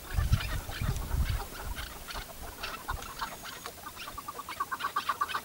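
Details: Chukar partridge kept tethered as a hunting decoy; a quick run of short, evenly repeated mid-pitched clucking notes builds near the end over heavy low rumbling and handling noise.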